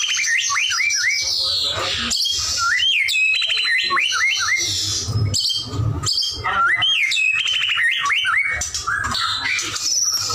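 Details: White-rumped shama in energetic full song: rapid varied phrases of rising and falling whistles, quick sweeping notes and high trills, tumbling one after another, with a faint low hum beneath.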